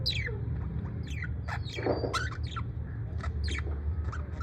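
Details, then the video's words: Good-mood parrot, USA, making quick descending chirps and one louder rough squawk near the middle, with short clicks between and a low hum underneath. "Parrot in usa in good mood"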